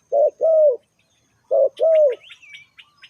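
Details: Spotted dove used to lure wild birds gives two paired coos, a short note then a longer drawn-out one, followed by thin, quick chirps and a whistle from other birds.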